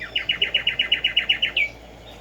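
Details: Tumba yegua, or Black-striped sparrow (Arremonops conirostris), singing outdoors in the morning: about eleven clear, evenly spaced whistled notes in quick succession, ending in a slightly longer falling note.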